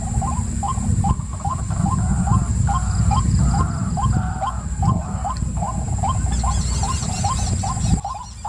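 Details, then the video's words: White-breasted waterhen calling in a rhythmic run of brief rising notes, with a louder overlapping burst midway. A fluttering high trill from another source joins near the end, over a steady whine and low background rumble. "White Breasted Waterhen"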